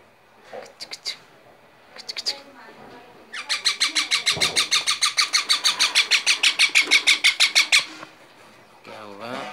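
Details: Young parrot indoors in Gujarat, India: a few short squeaky notes, then a long, loud run of about twenty rapid, evenly spaced scratchy syllables over four seconds, ending with a brief wavering call.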